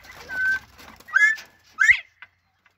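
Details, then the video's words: Northern bobwhite quail calling: three clear whistled notes spaced about half a second apart, the later two sharper and rising, followed by a brief faint click and quiet. "bobwhite quail chatting it up"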